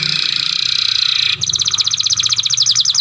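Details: Young canary in song training sings a dense buzzy trill, then switches to a rapid rattling series of sharp notes repeated many times a second.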